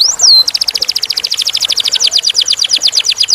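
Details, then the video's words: Canary (kenari) song, clear-voiced: an opening high whistled upslur and downslur, then a fast even roll of sharp high notes, about three per second... rather a rapid trill of repeated notes sustained for three seconds. "Kenari / Canary / Canarium ovatum (suara jernih)"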